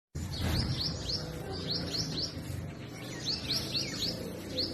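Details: Purple sunbird singing and chirping in spring in forest trees in north-west Pakistan: quick series of high, thin upswept notes, each sliding up and then dropping, in bursts of three to four, over a low background rumble.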